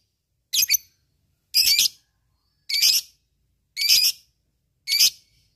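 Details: Lovebird calling to provoke rivals, meant for training fighting birds: five loud, harsh, buzzy screeches, each about a quarter second long, repeated roughly once per second. Otherwise silent.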